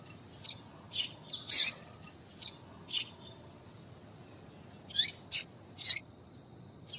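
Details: Female double-collared seedeater calling to get males singing; scattered sharp high chirps and brief double notes with gaps of a second or more, clearer near the end.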